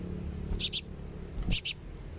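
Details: Sunbird recording, used as therapy to make a kept bird sing, giving two pairs of very high, thin, sharp chips about a second apart over a quiet background.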